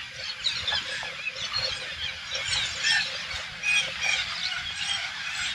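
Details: Large flock of parakeets, believed to be Alexandrine parakeets, invading a farm in the Thailand countryside: a dense, continuous chorus of overlapping shrill squawks and screeches, with many birds calling at once and no pause.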